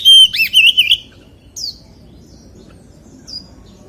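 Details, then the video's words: White-rumped shama (chòe than) in giọng rừng, forest-voice song: a short loud phrase of looping whistles in the first second, then only two brief faint high notes over a low background rumble. "CHÒE THAN HÓT GIỌNG RỪNG SIÊU HAY - Suara Burung Kacer Gacor"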